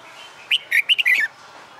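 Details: Red-whiskered bulbul, a caged bird trained for fighting song, sings one brisk warbled phrase of five quick fluty notes ending in a downward slur, lasting under a second.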